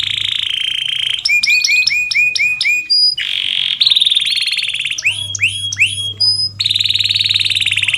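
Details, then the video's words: Canary song for training lazy canaries: long steady high buzzy rolls alternating with bursts of rapid stacked chirps and downward-sweeping notes, continuous and loud; a low mechanical hum runs underneath. "BURUNG KENARI GACOR⁉️ Cocok UnTuk MASTERAN KENARI malas bunyi"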